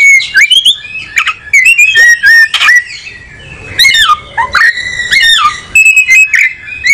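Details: Oriental magpie-robin, a tropical South Asian songbird from a breeder, searching for a good perch; long sequence of clear whistles, swoops and falling slurs with clicks, varied phrases repeated with short pauses.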